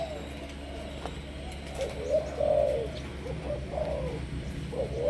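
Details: Malaysian-strain spotted dove kept as a decoy bird, giving soft, low cooing notes, one longer drawn coo in the middle, over a steady low hum.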